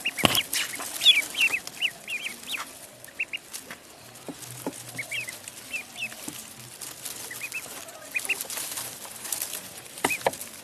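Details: Pond duckling calling in bursts of short, high chirping peeps, several in a row, then quieter gaps; sharp knocks and splashy clatter break in at the start and end.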